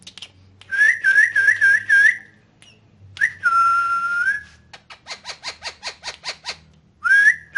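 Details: Talking pet rose-ringed parakeet using Urdu/Hindi words: a warbling whistled phrase of five quick wavering notes, a long level whistle, then a run of about eight short buzzy clicks.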